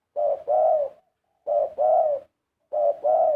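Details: Spotted dove 'karom' singing with three steady double coos. In each, a short note leads into a longer, resonant coo, and the pairs come about every one and a quarter seconds.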